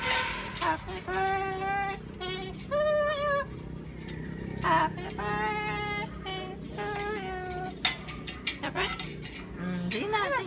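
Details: Parrot at Mantianak Zoological Botanical Park in Sugbongcogon, Misamis Oriental, singing Happy Birthday to You in clear, tonal, voice-like notes, phrase by phrase with short pauses, amid background noise and clicks.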